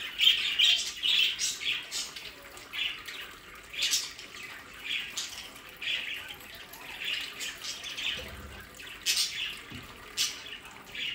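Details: Budgerigars bred in captivity near The Hague, Netherlands, chirp repeatedly in their play area. The short squeaky notes come roughly twice a second amid a soft background of flock chatter.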